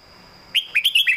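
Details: Caged red-whiskered bulbul giving a clear master-song phrase in southern Thai style, used to teach other caged birds: a short run of four or five bright, rolling whistled notes after a moment of quiet with a faint steady tone.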